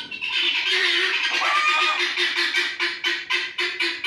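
Guineafowl give harsh, grating squawks repeated rapidly, about two per second.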